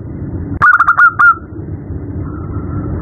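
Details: Female zebra dove calling a male at night: one loud burst of five quick stuttering coos, followed by a faint drawn-out tone over steady low rumble.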